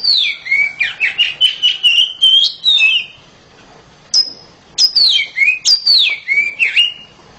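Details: Home-kept oriental magpie-robin singing loudly: a rapid run of clear whistled notes sliding down and up, a pause, then a single high whistle and a fresh burst of swooping, bright phrases.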